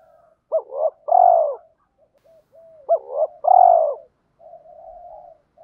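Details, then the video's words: Decoy spotted doves, male and female, giving a coo meant to rouse wild birds to fight: a pair of brief upward notes followed by a long swelling coo, repeated twice, with low soft cooing in the gaps. "Tiếng chim cu mồi thúc đấu/ chim cu gáy kích bổi nhanh nổi gù đấu lại/ chim cu cườm thúc rút bổi"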